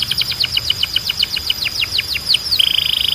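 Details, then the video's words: Belgian canary song: a rapid series of downward-sweeping whistled notes, about four per second, then a fast buzzy trill at the end. Steady low background hum. "Som de Canário Belga Super Afinado"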